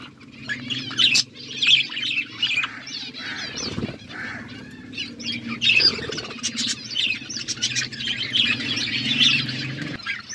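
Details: Budgerigars chirping as they eat food: several birds keep up a steady high, scratchy warbling chatter with rapid chirps, broken by rustling and a brief loud thump near the middle, over a low hum.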